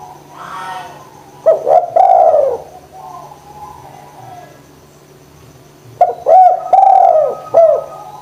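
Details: Cooing spotted dove serving as a lure to make lazy doves sing: two hoarse multi-note phrases, a stuttered start and long falling coo, about four seconds apart, with faint chirps and a low hum.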